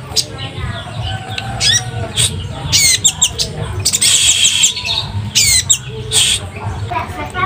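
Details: A kept Orange-headed Thrush, calling on its own on a drizzly afternoon in high breeding condition, sings rich, varied phrases of high whistles and rapid chattering notes in quick bursts, while a man talks throughout.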